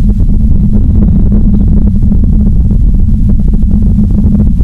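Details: Steady deep rumbling of wind and motor noise fills the recording, with no animal voices present.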